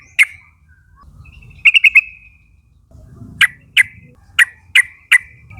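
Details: Young wild forest flock of yellow-vented bulbuls used as a lure, calling flock mates to join in: sharp bright chips, a quick burst of four, then five spaced single notes over faint low rumble.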